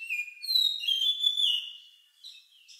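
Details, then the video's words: Oriental magpie-robin song with an odd lovebird-like quality, used for prompting other birds to sing; one long steady whistle with slight pitch steps, then a soft short note. "Suara Burung Lagu Unik Kacer Ini Cocok Untuk Pancingan"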